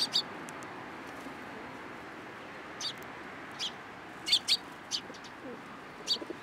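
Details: Sparrows at a Tenmangu shrine on 13 April 2023, landing on a hand for food; scattered brief high chirps, some doubled, separated by quiet gaps over faint steady noise.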